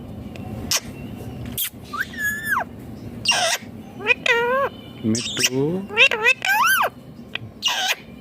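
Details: Green ringneck parrot talking: a rapid run of varied, speech-like syllables with rising and falling whistled tones and short raspy bursts over about eight seconds, low background hum throughout.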